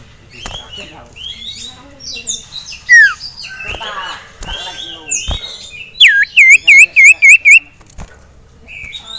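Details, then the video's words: Male sirtu in a cage, excited by a rival and a female, gives varied high chirps and slurred notes, then a run of six loud ringing upswept notes; faint clicks and rustles behind. "CIPOW Ngamuk Melihat SIRTU JANTAN Dan Betina"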